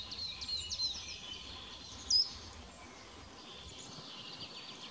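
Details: A Eurasian penduline tit at Thürer Wiesen, Eifel, Germany, on 28 March 2017 gives thin, very high, drawn-out whistles, faint at first, then one sharper note midway, over a steady hiss of outdoor background noise.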